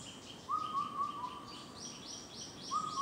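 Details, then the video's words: An Indian cuckoo, close by but unseen, on the morning of 2 June at Gunwolsan, Gwangju, Gyeonggi, South Korea, gives its mellow four-note whistled phrase, notes falling slightly, repeating; thin chirps from other birds behind. "검은등뻐꾸기 소리"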